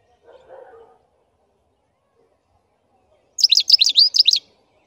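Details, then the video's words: Black-headed goldfinch song: after a faint low murmur and a long quiet pause comes one burst of about a second of rapid, high, tinkling twitter notes. "Щегол чёрноголовый пение"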